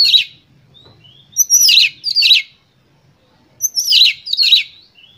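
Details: Oriental magpie-robin singing vigorously as a lure to provoke other birds: two groups of high whistles each leading into paired harsh, rasping downslurred bursts, with a quiet gap between groups.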